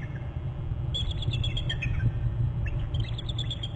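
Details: Paired eagles at a Hornby Island nest cam in January, both calling and alerting over their territory: a quick series of piercing, squeaky notes falling in pitch, then a second chittering run, with constant low wind-like rumble beneath.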